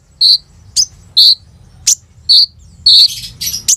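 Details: Sunbird called kolibri ninja in a lively full song used as a lure for other birds, recorded on an Oppo A37f phone: short, piercing high notes, some rising sharply, spaced about half a second apart, with a quiet background.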